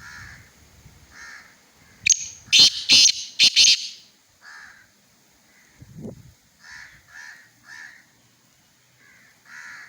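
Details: Black francolin at Khushab delivers one loud series of four to five harsh, scratchy bursts in about two seconds, amid fainter repeated chirping notes from other birds and a brief low thump.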